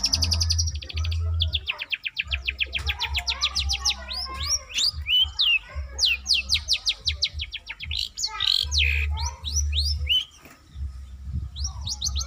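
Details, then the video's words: Long-tailed shrike from South Malang copying lovebird and canary: varied, fast song of high rising and falling sweeps, quick trills and scratchy notes with brief gaps, over an intermittent low hum. "jika love bird, burger, kenari jadi satu dalam cendet"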